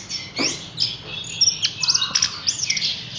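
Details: Caged Horsfield's bush lark giving high, thin twitters and short sharp ticks, with a lower whistled note midway, in a quick, uneven series.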